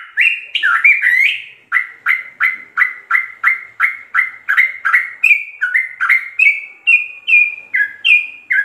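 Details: Rapid 'ropel' song of a sooty-headed bulbul, meant as a master recording for captive birds: a few tangled opening notes, then a long steady string of short liquid down-slurred chirps, alternating pitch, roughly three per second.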